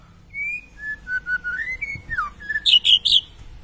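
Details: Kretetan white-rumped shama song for triggering song in other birds: a chain of short clear whistles at different pitches, then a downslurred note and a few loud high chirps.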